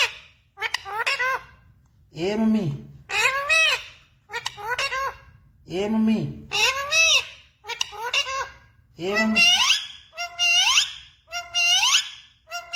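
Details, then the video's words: Talking parrot repeating short human-like phrases such as "mummy papa", "radhe radhe" and "sita ram", about once a second, with a squeaky, wavering voice quality in a small room. "parrot talking mummy papa | parrot talking radhe radhe | parrot talking sita ram"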